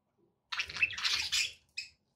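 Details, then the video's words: Pet budgerigars chirping: a dense burst of bright, scratchy chatter lasting about a second, then a short separate high chirp. The background is quiet. "relaxing budgie sounds"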